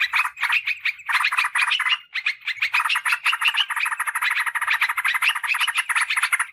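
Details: Yellow-vented bulbul chatter used as a lure for wild birds and as a song tutor for kept birds: a continuous, busy stream of quick, rasping notes with thin high overtones, hardly pausing.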